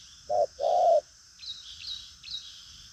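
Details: A single phrase from a spotted dove praised for strong cooing: one brief low hoot followed by a drawn-out hollow coo, then only a faint high insect drone.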